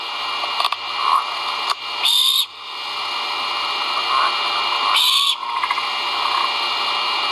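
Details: Great horned owl chicks vocalizing at the nest during a feeding, filmed by a live nest camera on 1.04.2022. Two harsh, hissing screech bursts stand out over steady broadband hiss, with a faint rising whistle-like note inside each burst.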